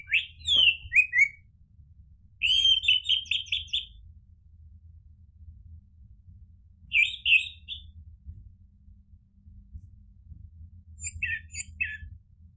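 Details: Orange-headed thrush song played as a lure to get another bird to answer and sing: loud whistled phrases sliding down, then rapid stuttering trills of bright notes, repeated in four bursts separated by pauses, over a low steady hum.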